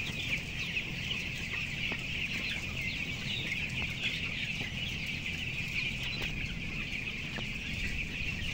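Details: Flock of 11,000 broiler chicks aged 14 days, weighing 525 grams, on the upper floor of a closed poultry house; constant massed high-pitched cheeping with occasional sharper chirps above a low mechanical drone.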